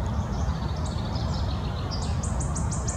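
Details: Wood warbler singing: faint, high, thin notes that speed up into a quick run of repeated ticking notes near the end, heard over steady low rumbling background noise.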